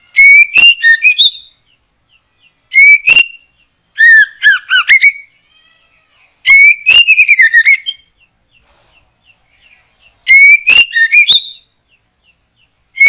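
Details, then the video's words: White-rumped shama singing in a backyard during bird trapping: loud whistled phrases rising then dropping, each with quick chattering notes, repeated in five bursts separated by short pauses. "Mikat Burung Murai batu,,Sudah gacor dorrr"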